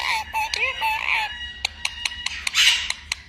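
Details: Pet parrot talking: a nasal, speech-like burst of bending harmonic tones for just over a second, followed by a string of sharp clicks and one harsh, noisy squawk.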